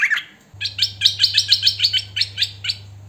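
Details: Singing hwamei, "thơm mồi" style: one brief slurred note, then a fast, evenly spaced run of about a dozen ringing whistled notes, each repeated quickly, over a low constant electrical hum.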